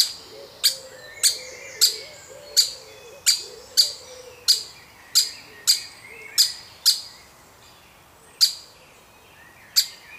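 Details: Baby woodpecker from a wild woodpecker family, being fed by an adult: sharp, loud, high clicking notes with a short ringing tail, about fifteen in ten seconds at uneven spacing, over faint softer twittering and a low, wavering hum.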